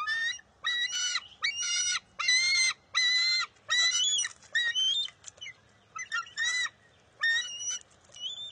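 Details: On June 23, 2021, a young bald eagle at the NCTC nest contests a fish its mother grabbed: loud, rapid, rasping squeals of about half a second each, repeated roughly every second, later turning into thinner rising notes.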